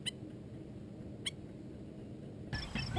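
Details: A pair of black-necked stilts incubating eggs on a nest in Kansas; one gives sharp, yipping single notes about a second apart, then a quicker run of calls, over a steady low rumble of wind.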